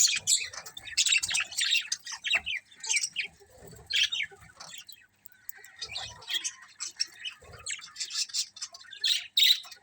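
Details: Budgies in a colony chattering: scratchy chirps and squeaks in irregular clumps, louder bursts recurring every second or two, a brief whistle near the end.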